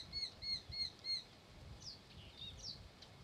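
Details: Eurasian hobby pair at the nest; four sharp, ringing kew notes come quickly at the start, then stop, followed by scattered high slurred chirps over a soft low rumble.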